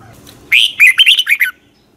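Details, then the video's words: A red-whiskered bulbul sings one morning phrase in long twisted double-voice style: about a second of lively, slurred, up-and-down whistles ending on a falling note. "Luyện chào mào hót sáng 2020 Giọng kép xoắn dài"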